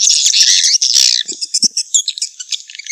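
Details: Lure sound of swiftlets for swiftlet nest houses: a continuous high buzzy chatter, breaking after a second into rapid, irregular high chirps and clicks.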